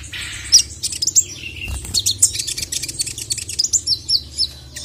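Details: Sogon calling to a male, excited: scattered sharp, very high chirps and squeaky notes, rising and falling, in an irregular quick series.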